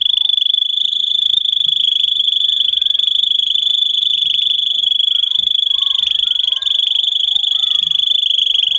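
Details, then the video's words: Canary singing a long, unbroken, high rolling trill, fast and even throughout, with faint soft chirps underneath; recorded to train young canaries. "Canary how to sing listen and teach young Canary for Canary Education"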